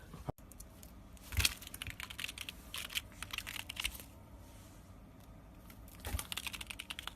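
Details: Rapid clicks of keys being typed come in bursts over a quiet indoor background, with no animal voices.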